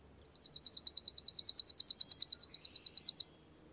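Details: Spizella passerina, the chipping sparrow, delivering a three-second rattling trill of quick, downward-slurred high chips, repeated rapidly and evenly, clean and loud against a quiet backdrop.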